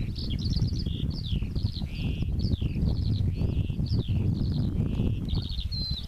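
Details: Song flight of a pipit over a field, May/June 2014: bright high phrases, each a quick series of repeated notes, some descending slurs and rapid trills, delivered continuously above a constant low wind rumble.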